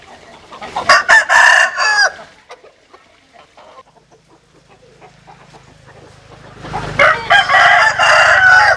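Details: Rooster crowing, from a compilation of Vietnamese and American Sil roosters: one loud harmonic crow early on, quiet pause, then a second strong crow begins near the end.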